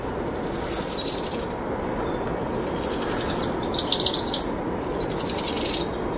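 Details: Begging powerful owl chicks, a pair fed by the adult female at dusk, produce high pulsed trills, one strong burst first then three longer wavering trills in quick succession over a constant faint tone.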